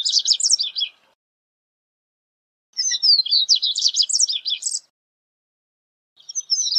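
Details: A corbatita (Double-collared Seedeater) sings repeated high phrases of quick chirps and buzzy twitters, each lasting one to two seconds, separated by silent pauses, with a third phrase starting at the end.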